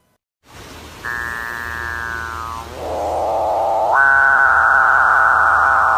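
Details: A Capuchinbird gives its strange, drawn-out song, likened to a chainsaw or a calf's moo: a rich, slightly falling tone, then a low buzzy growl, then a long sustained moo; males sing competing for females while courting.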